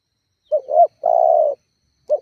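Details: One spotted dove phrase used to provoke rivals and lure doves into answering: a short coo sliding into a rising second note, then a long, steady, hollow coo, and the start of the next phrase.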